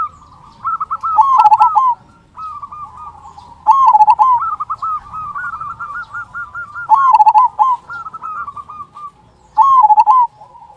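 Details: Local zebra dove with a big "kung" voice, singing steadily as a lure to make other zebra doves sing: rolling, bubbling coo phrases about every three seconds, loud bursts alternating with softer answering coos.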